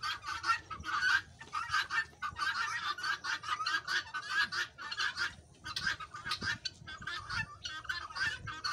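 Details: Farm guineafowl in a noisy group chorus, grating, cackling calls in fast bursts that pause briefly near the middle and then resume, many birds overlapping throughout.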